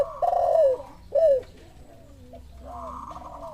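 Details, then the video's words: Spotted dove responding to a lure call with a long, falling coo, then a shorter one, followed by quieter, drawn-out coos in the background. "Suara pancingan derkuku, tekukur langsung nyahut ikut bunyi"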